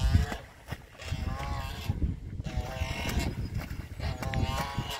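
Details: Canada geese in a fight let out wavering honks partly buried under heavy low-pitched rumble and thumping noise, calls rising and falling through the scuffle.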